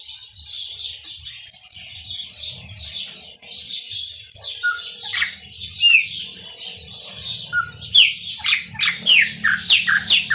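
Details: Chopi blackbird, maranhãozinho song: a chattering stretch of high twitters and short whistles builds into a fast series of loud, sharply falling notes in the final seconds, over a faint low hum.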